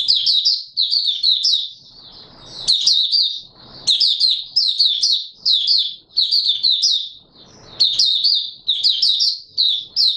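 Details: Oriental white-eye, opening song recorded 24 March 2022. Nearly continuous high, jumbled twittering phrases follow one another rapidly, with a few soft rustling breaks.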